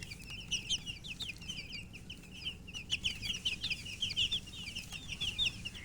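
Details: Colourful baby chickens (murgi chicks) thirsty for drinking water: a dense chorus of shrill, high peeping chirps, many overlapping, sounding nonstop with louder bursts around the middle and end.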